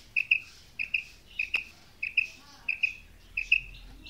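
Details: Female quail calling, known locally as batair, giving a long series of short, high double notes, each pair clipped and bright, repeated about every 0.6 seconds over a quiet background.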